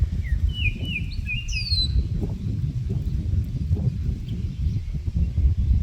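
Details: Wild Baltimore oriole calling from trees during its brief migration stopover: a quick run of clear, whistled notes and a brief sliding whistle in the first two seconds, over a steady low rumble of wind.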